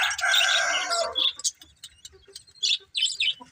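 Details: Budgerigar opens with a long buzzy, grating warble, then gives short separate chirps and clicks at a quick pace.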